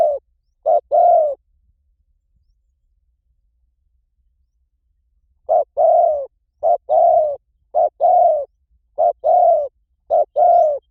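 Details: Spotted dove calling, a recording meant to draw in wild doves: a short coo phrase, a long quiet pause, then a steady run of paired coos, clipped note then longer sliding one.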